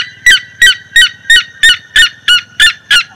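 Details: Red-legged seriema (Cariama cristata) in the sertão of Bahia, Brazil: a loud series of harsh yelping call notes, nine in about three seconds, at a steady quick pace.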